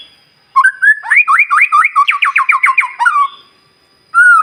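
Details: White-rumped shama morning song used to coax other birds into song: a long series of quick, repeated upswept whistles forming a rhythmic trill, with a final clear whistle after a pause.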